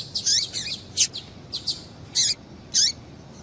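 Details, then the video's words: High chirping notes of a female double-collared seedeater, given to make a male sing; rapid groups of short notes early, then two longer separate notes with falling tails, against light background hiss. "Piado de Fêmea de Coleiro para Esquentar Coleiro"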